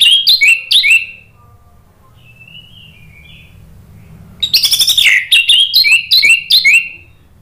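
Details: Orange-headed thrush lure song meant to get a bird that has stopped singing to reply: two bursts of loud, rapid chirping notes with a faint, soft warble between them.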